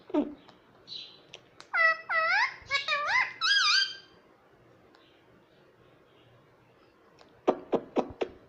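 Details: Indoor pet rose-ringed parakeet that says 'mummy papa' gives several loud, rich, speech-like syllables with swooping pitch, followed by quiet and a quick series of sharp clicking squeaks.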